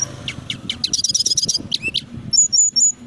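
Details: Brown-chested jungle flycatcher from Indonesia, a local bird kept by songbird hobbyists, singing loud, dense 'gacor' song. Short high notes open into a rapid high trill, then sharp upslurred notes and thin whistled phrases, over low background rumble.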